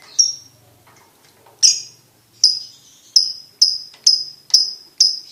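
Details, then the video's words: Lovebird, a champion competition bird, giving sharp high chirps that ring and fade, each one separate, in a loose series about every half second that quickens toward the end; faint clicks between them. "SUARA BURUNG LOVEBIRD/LABET JALAL JUARA"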